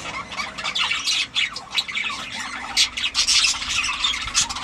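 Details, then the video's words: Parrots calling, a dense chorus of harsh, scratchy squawks overlapping continuously with no pauses, several birds clearly calling at once. "Папагали ( parrots)"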